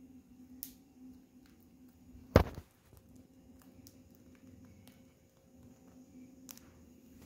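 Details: Quiet indoor room hum with a single loud thump near the middle and a few faint taps, with no animal voice heard.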